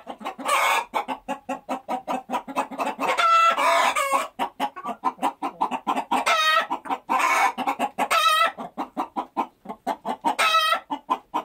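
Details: Chickens cackling and clucking in a dense, fast series of sharp clucks broken by several loud, harsh squawks, played as a sound to attract chickens.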